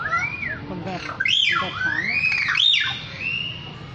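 A superb lyrebird sings loud, sweeping whistles that arch up and down, a few rich swoops in quick succession over faint background hiss.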